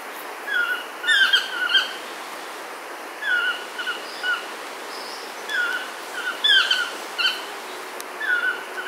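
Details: Yellow-throated toucans call at Chilamate Eco-Retreat, Sarapiquí, Costa Rica, on 24 April 2022: loud yelping three-note phrases every two to three seconds, with faint higher whistles from another bird behind.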